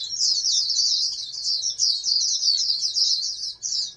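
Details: Dense high twittering from a farm-bred oriental white-eye, a candidate national champion, flowing almost without a break and ending in a short final burst, with a faint hum beneath.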